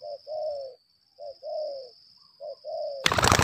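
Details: Lambung kuk decoy spotted dove calling during a fighting bout: three short-then-long coo pairs, followed by a sudden loud burst of rustling noise at the end, with a thin steady whine throughout.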